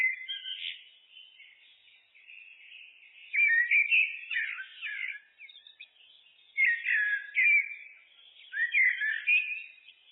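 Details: Song of a common blackbird (Turdus merula): three loud bursts of rich, fluted warbling with chuckling notes, separated by softer, thin twittering passages.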